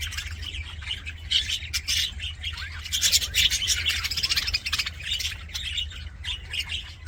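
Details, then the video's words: Happy budgies chatter loudly in dense bursts of buzzy, rasping chirps and squeaks, busiest from the third to the fifth second and thinning toward the end, over a faint hum. "HAPPY BUDGIE SOUNDS FOR LONELY BUDGIES"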